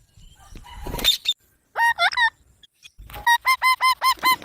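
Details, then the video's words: Green baby parrot chirping: a few scratchy notes, then two bursts of short, buzzy, harmonic-rich calls repeated rapidly, about six per second, each with a quick rise and fall. "Green Baby Parrot Chirping Sounds"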